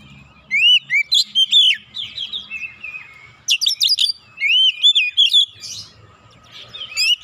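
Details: Two energetic bursts from an agitated oriental magpie-robin luring birds to sing: rapid upslurred whistles and sharp chirps, separated by a stretch of quieter warbling.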